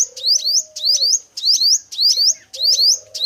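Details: Male five-coloured sunbird used as trap bait, giving bright, ringing, upward-sliding chirps in close doublets, about six in three seconds, with a low continuous tone underneath.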